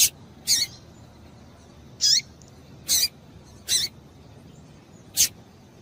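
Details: Six well-spaced, piercing high chirps from a female double-collared seedeater, calls said to excite males. A few show a falling tail, with quiet hiss between.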